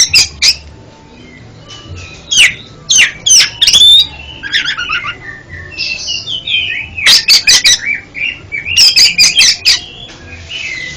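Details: Oriental magpie-robin song for training a bird that stutters: loud sharp clicks and harsh bursts in clusters alternating with sweet varied whistled warbles over about eleven seconds.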